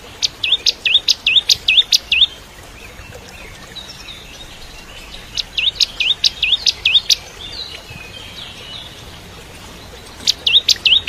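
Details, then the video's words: Lively Bar-winged prinia song meant for tutoring white-rumped shamas, in three bouts of quick hooked whistled notes, each note swooping down then up, separated by pauses of about two seconds. "Masteran Cimblek Kristal Gacor (masteran murai Batu trotol)"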